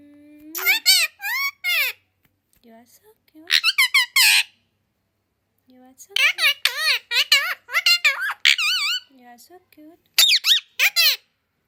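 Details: Pet parrot said to speak Hindi, English, Urdu, Kannada, Malayalam and Telugu chatters indoors in bursts of high, squeaky, warbling syllables, mimicking words like "good good good" and "papa", with a lower human voice briefly at the start.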